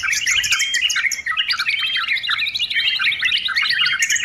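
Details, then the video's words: Noisy song of a sooty-headed bulbul, used for tutoring and training birds: a dense run of clear whistled slurs and chirps, with a constant high chattering of other birds behind. "TRUCUKAN RIBUT, COCOK UNTUK PEMULA, MASTERAN DAN LOLOHAN"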